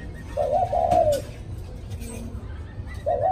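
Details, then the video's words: After a storm, a spotted dove gives the quick 'cu thúc' song: one full husky cooing phrase with a brief soft follow-up note, then the start of the next phrase, against steady low rumble. "Cu thúc sau trận bão"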